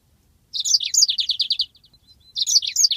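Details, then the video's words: Yellow-fronted canary (Mozambique) song used as a training master recording: bright high phrases opening with slurred notes, then a fast rolling trill of about ten buzzy repeated notes, a pause, and the phrase beginning again. "masteran handal burung Mozambik ngeroll panjang"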